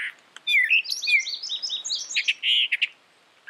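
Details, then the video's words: A brown thrasher pours out a quick sequence of whistled, swooping notes and buzzier chirps, ending with a short pause and one more note. "Brown Thrasher Bird Sound, Bird Song, Bird Call"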